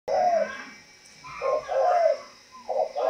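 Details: Spotted dove from a bird-breeding farm in Văn Hòa commune, Ba Vì district, Hanoi, Vietnam, giving low, mellow coos: one drawn-out note, a pause, then a pair of coos and a final note, with a faint steady hum behind.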